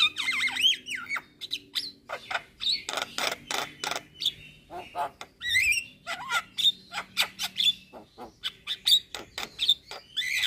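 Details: Javan myna (jalak kebo) in full gacor singing, a masteran tutor recording for training songbirds: dense run of sharp clicks and rattles broken by bright rising and falling whistles, with loud, choppy bursts throughout.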